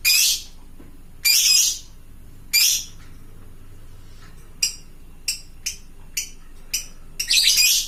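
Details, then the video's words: Long harsh screeches from a fighter lovebird calling companions open the recording, then short sharp chips at roughly half-second spacing, ending in a raspy burst. "suara burung lovebird fighter gacor ngekek panjang memanggik teman"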